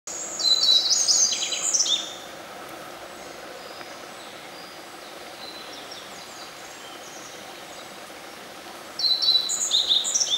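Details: A black-faced bunting sings from a possible song post in a quiet shrine forest after rain. Two bright, high phrases of quick chips and trills come about eight seconds apart over soft steady hiss.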